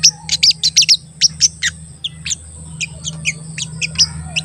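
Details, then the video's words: A crested jay repeating sharp, high 'cuit cuit' chirps, loud and quick at first, then softer and spaced out, over a low hum. The recording serves as a lure to make other crested jays answer. "Pancingan Sogon Agar Bunyi dan Emosi, Sogon Bahan Auto Nyaut dan Cepet Rajin Bunyi"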